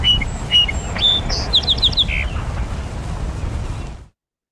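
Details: A song sparrow sings a bright phrase of a few clear introductory notes, then a quick buzzy trill and jumbled ending, over heavy low hiss. This 1929 recording from Stewart Park, Ithaca, was the first ever made of a wild bird in North America.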